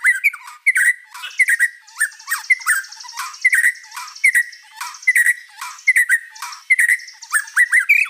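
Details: White-rumped shama singing gacor with many fill-ins: a loose string of short squawky chirps, roughly one every second, over a faint continuous buzz.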